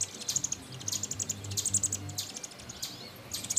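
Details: American robin chicks in a nest built in a satellite dish beside a screened porch, begging while being fed: faint, very high, thin chirps in short bursts, with soft clicking taps in the background.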